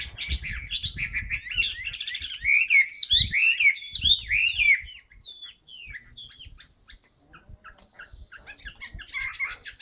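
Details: Caged Chinese hwamei in new plumage, singing with spread tail. Quick twittering leads into loud, descending, slurred whistles repeated several times. Sparse soft notes and a faint steady high tone follow, with occasional low bumps.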